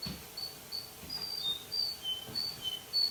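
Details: A young male Russian canary gives thin, high whistled notes in the evening, short and slightly slurred, about two or three a second over a soft background hiss.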